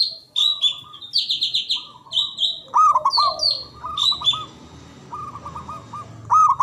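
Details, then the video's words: Local Javanese zebra dove song used to make mute doves sing and answer a rival. Low rolling coo phrases and held tones repeat among frequent high sliding chirps from other birds. "Pancingan Ampuh Pendongkrak Perkutut Bisu🔇 Malas Bunyi🔊 Bikin Rame"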